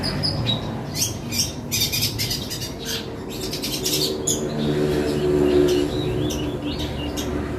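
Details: Long-tailed shrike singing a song filled with the sounds of fighting sparrows: quick, sharp, high chirps, some in short bursts and others spaced about a quarter-second apart, over a steady low hum and background noise.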